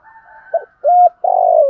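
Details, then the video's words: A spotted dove's decoy coo, meant to attract wild birds: a soft short note, a steady mid-pitched coo, then a long, slightly falling, throaty rolling coo. "chim cu gáy thúc gù/ tiếng chim cu gáy mồi bài bản giọng hay thúc gù cả ngày"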